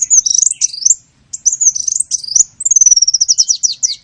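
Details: Lure call for small birds: fast high twittering and squeaky slurred chirps, a short pause, then more chatter ending in a quick string of repeated high notes.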